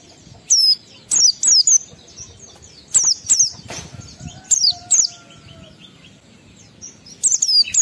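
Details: Oriental white-eye delivering ngalas-style song to stimulate emotion in other white-eyes: repeated pairs of piercing high downslurred chirps spread across the stretch, with a brief soft lower whistle near the middle.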